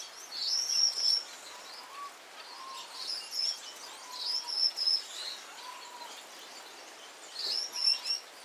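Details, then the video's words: Gouldian finch singing: thin, very high, hissing and buzzy phrases in short bursts, with a few soft lower whistled slurs between them, over steady background hiss. "Gouldian finch song call singing"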